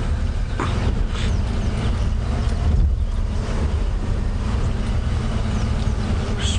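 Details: Early-morning safari drive sound: a steady low engine rumble with wind buffeting the microphone, and no animal voices standing out.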